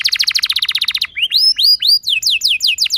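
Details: Canary lure song (pancingan) meant to set other canaries singing constantly with a luxurious roll: a fast even trill of about twenty notes for one second, then a run of rising, upslurred whistles topped with thin high chips.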